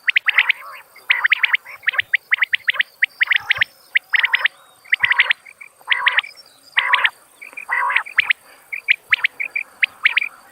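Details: Long run of common quail calling: rhythmic clusters of sharp high notes and short raspy bursts, repeated roughly twice a second, with a faint high hiss throughout.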